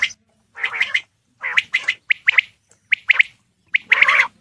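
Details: Male Coturnix quail calling: a series of short, harsh, buzzy squawks, often doubled, repeated about once a second with brief gaps. Nothing else is clearly heard.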